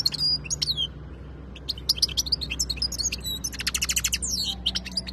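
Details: European goldfinch, khalawi (wild) type, recorded 2022, singing sharp chirps and sliding whistles that build into a fast buzzy trill near the end; steady background hum.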